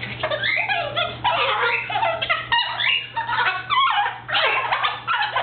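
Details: Pet male cockatoo indoors, kept by a family, mimicking its owners scolding it for biting too hard, such as 'stop it' and 'ouch', then laughing. Harsh, squawky, speech-like phrases with wavering pitch run in rapid bursts, close to the listener.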